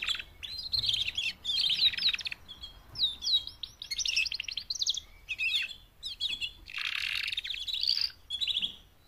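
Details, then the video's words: Four female canaries calling to mate, meant to drive males into louder song. Short bursts of high chirps, slurred whistles and quick buzzy trills come in separate phrases with brief silences between. "BEST mating call 4 females canary EVER to MOTIVATE your CANARY to sing LOUDLIER"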